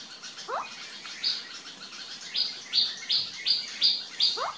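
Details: Indian scops owl in the Aravali hills near Sikar, Shekhawati, Rajasthan, India, June 2021: two short, rising, croaking notes about four seconds apart, amid repeated high buzzy bursts from another caller.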